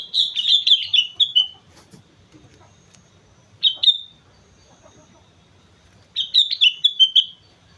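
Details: Sooty-headed bulbul at Mount Slamet in lively gacor song: a fast tumbling phrase of many clear whistled notes, a single brief note mid-way, then another tumbling, slightly descending phrase.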